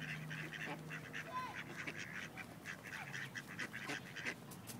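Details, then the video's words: Wilmington, North Carolina ducks, rejected males attempting forced mating of a female; dense chatter of short nasal quacks with a brief falling whistle, low hum in the background. "Ducks Mating Forcibly"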